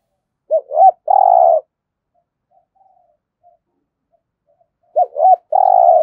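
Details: Spotted dove in Vietnam's Đồng Nai giving competition coos: two quick hooked notes and a long burry coo, then near silence for about three seconds before the same three-part phrase returns.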